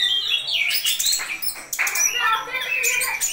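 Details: A captive Orange-headed thrush in intense nonstop song: a loud, rapid stream of varied high notes, sweet whistles mixed with scratchy, squeaky phrases and sudden slurred rises.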